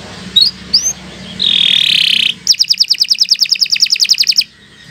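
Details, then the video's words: Canary song, recorded as a long continuous song for training other birds: two brief high upslurred notes, a buzzy rattle lasting about a second, then a fast even trill of about twenty repeated notes. "Kicau Burung Kenari 101 II GACOR PANJANG Cocok untuk Masteran"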